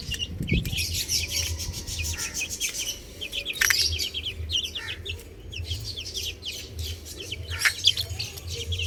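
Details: Baby hens on a roof chirp constantly. Thin, sharp peeps repeat and overlap from several birds, with a few louder bursts, over a low droning hum.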